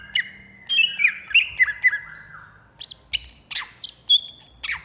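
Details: Greater green leafbird of the Banyuwangi type, singing agitatedly in the ngentrok style: a busy run of sharp chirps and slurred whistles that jump between high and mid pitch, delivered in quick, uneven bursts with short pauses.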